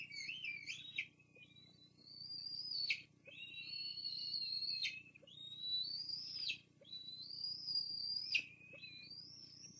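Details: At a Fraser Point bald eagle nest on a live cam, 24 June 2022, the mother delivers food to two youngsters old enough to feed themselves; long, piercing whistled notes rise slightly then plunge at each end, four in a row, every two to three seconds.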